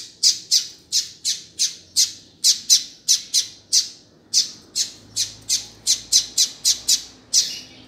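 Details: Coleiro, the double-collared seedeater, giving a call meant to fire up and tutor another male: about twenty shrill, high chip notes in steady succession, with one brief pause midway, recorded indoors with faint low background hum.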